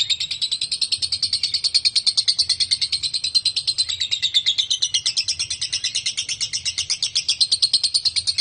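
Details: Lovebird giving a long 'konslet' ngekek, played to lure other lovebirds into chattering along: a continuous, rapid, shrill chatter of dense high notes, about three per second, holding steady for the whole stretch.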